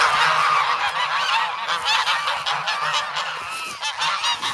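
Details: A hungry flock of young geese in the snow at Sloterpark, Amsterdam, in February, clamouring for bread. A dense continuous chorus of overlapping nasal honks with almost no gaps, loud throughout.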